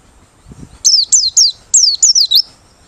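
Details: A forest-bred Merapi white-eye, singing open-beaked as a lure call, gives a quick run of about seven thin, very high, downslurred whistles, each falling sharply, over under two seconds. A soft low thump comes just before.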